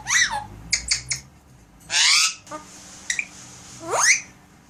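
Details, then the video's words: Pet Alexandrine parakeet talking and making sound effects indoors: a run of harsh squawks and falling whistled sweeps, a loud broad rasping burst near the middle, then a short clipped note and a rising whistled slur. "Leo talking and sound effects"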